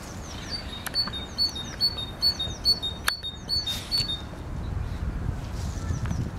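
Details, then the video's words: Great tit song: clear, ringing two-note whistles, a higher note followed by a lower one, repeated about twice a second for four seconds, then fading into soft low background rumble. "Sikorka Bogatka i jej piękny śpiew"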